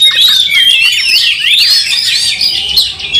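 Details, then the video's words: Fighting white-rumped shama with raised, spread tail, singing an unbroken stream of loud, rapid, scratchy whistles and warbles that rise and fall. "Kacer tarung bongkar emosi buka ekor dongkrak amarah bikin kacer lain tambah Garang"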